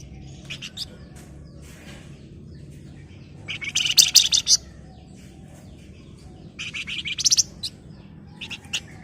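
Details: Flamboyan, a bird singing actively in the 'ngebren rapat nyerecet' style: two bursts of dense, high, rattling trills about a second long, with scattered sharp chirps between them over a low steady hum.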